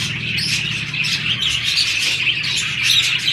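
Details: Short burst of budgerigar chatter from mating pairs in breeding season: a tight run of high, grating chirps over a low steady hum.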